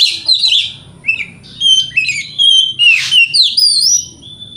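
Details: White-rumped shama song used as a lure to provoke other shamas: rich varied phrases of clear whistles, rising and falling slurs and harsh buzzy notes, mostly high-pitched, in bursts with short pauses; faint low hum beneath.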